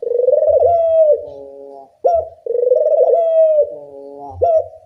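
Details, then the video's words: Barbary dove (puter) calling loudly, used as a lure to teach doves to call: two cycles of rolling coo swelling then dropping into a flat nasal tail, each closed by a sudden clipped note. "Pancingan puter bersuara nyaring, melatih bunyi semua jenis burung puter"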